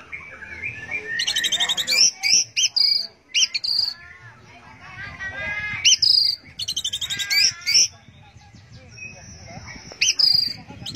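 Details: An Orange-headed thrush sings in teler style with dense bursts of high chattering, ringing whistles and sharp chirps, alternating with quieter murmuring passages.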